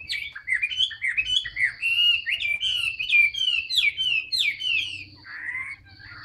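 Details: Chinese hwamei in a cage, newly moulted, in enduring tail-spread song: a rapid cascade of bright descending whistles, each note dropping in pitch, repeated more than three times a second before slowing to softer slurs.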